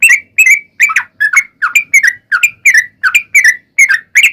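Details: Sooty-headed bulbul song used as a lure to make other bulbuls sing: a lively run of short whistled, bubbly notes around three a second, each dipping and rising, delivered continuously and loudly.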